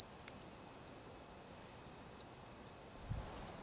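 Hazel grouse giving a very high, thin, drawn-out whistle that wavers for about two and a half seconds, then fades into quiet.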